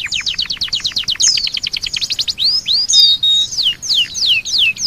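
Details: An Oriental white-eye gives a loud, high training song, said to hold imitations of pied myna, canary and other birds: a fast run of about fifteen thin down-slurred chips, then sweeping whistled phrases that rise and fall.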